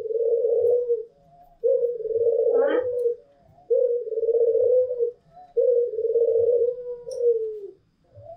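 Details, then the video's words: Freely singing Barbary doves, a white long-cooing pelung and a local bird: four rounded low coos of about one and a half seconds each, repeated rhythmically with short breaks, plus a brief higher squeak midway. "SUARA PUTER PELUNG PUTIH DAN PUTER LOKAL || PUTER PELUNG PUTIH GACOR || SUARA BURUNG PUTER MERDU"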